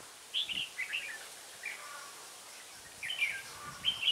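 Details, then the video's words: Decoy red-whiskered bulbul at Ba Thá, 17 December 2016, during trapping, giving brief chirpy warbled phrases spaced by gaps of about a second, the last ones rising, against a constant hissing outdoor backdrop. "Bẫy chào mào Ba Thá mau mỏ đảo giọng"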